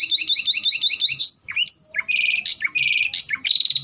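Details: Canary (Serinus canaria), song.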